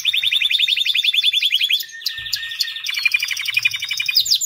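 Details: White canary singing: loud, rapid trills of repeated descending notes around the upper-middle range, switching between several tour phrases with a brief softer gap midway.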